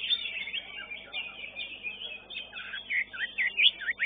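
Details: Greater green leafbird singing in a competition: a fast continuous stream of high warbled and slurred notes with quick rising and falling twists, growing louder toward the end.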